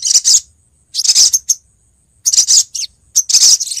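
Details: Female Brown-throated Sunbird call used as a lure for males: four clusters of high, hissy, rapid chirps, each under half a second, separated by clear silent gaps.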